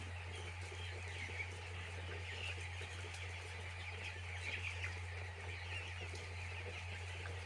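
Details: A poultry farm full of chicks giving a continuous wash of thin, high peeps, some brief rising chirps audible above the crowd, backed by a persistent low hum.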